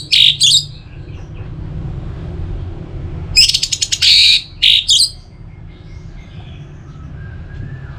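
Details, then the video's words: Song of the orange-headed thrush (anis merah), used to get other birds singing: clusters of sharp high notes, then a rapid buzzy trill running into more bright notes, and quiet afterward. "Pemancing Burung ANIS MERAH Agar Selalu Gacor"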